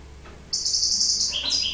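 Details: European goldfinch singing during breeding: after brief quiet, a sustained high thin whistled tone, then lower short notes stepping down near the end, over faint low background hum.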